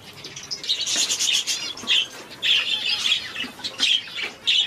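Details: A weak one-day-old society finch chick being hand-fed gives harsh, raspy high begging bursts in quick uneven runs, each about half a second long, with faint handling rustles between them.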